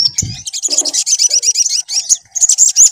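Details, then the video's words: Lure recording of sunbird song meant to get a bird singing: a dense, shrill run of rapid high twittering notes, preceded by a brief low knock. "PANCINGAN SUARA SOGON AGAR BUNYI"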